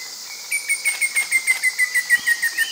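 Slaty bristlefront giving a quick run of sharp notes, about six a second, drifting slightly lower, over a steady high insect-like whine.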